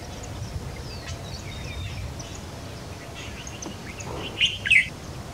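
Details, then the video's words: White-browed fantail at a nest where a juvenile is being fed: faint high chirps throughout, then two loud, harsh squeaky bursts close together near the end, over a low background rumble. "White-browed Fantail Flycatcher feeding its juvenile"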